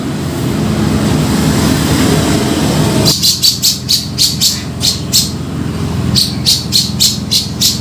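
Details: Grey-cheeked bulbul trapping lure: after about three seconds of low hum and noise, two bursts of quick, sharp, high chip notes repeated several times a second.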